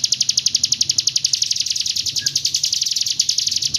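A hill prinia gives a fast, even, rolling trill of sharp, high notes, around ten per second, held steadily with no pause.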